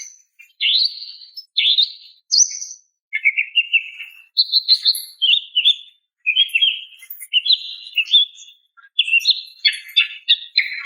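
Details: Female greater green leafbird calling for a male: varied phrases of whistles and chirps separated by short pauses, some notes buzzy, others clear. The recording is clean.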